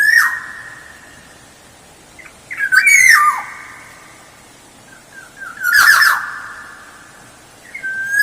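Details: Black-naped oriole singing actively, recorded for use as a lure: fluty whistled phrases sliding between higher and lower notes, broken by three harsh, raspy squawking bursts spaced about three seconds apart, with quiet pauses between.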